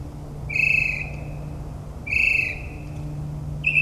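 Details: Nocturnal northern mockingbird in the New Jersey suburbs: a clear, steady whistle with ringing overtones, repeated after about a second and a half, then the start of a third, over a constant low hum.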